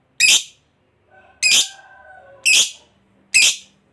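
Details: Lovebird fighter voicing 'ngekek' notes intended to provoke other lovebirds: four isolated harsh, buzzy squawks spaced roughly a second apart, with a faint steady whistled tone in between.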